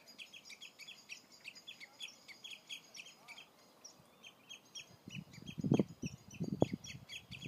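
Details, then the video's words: Common redshanks at Old Hollow, Ribble National Nature Reserve, give a steady stream of high, ringing piping notes, several per second, with wind gusts rumbling in the last few seconds. "Redshanks calling"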